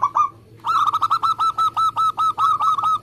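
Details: Fast, tight song of a local zebra dove kept as a competition-type singer. A brief opening coo leads into a steady run of about thirteen quick, bubbling notes with little pause between them.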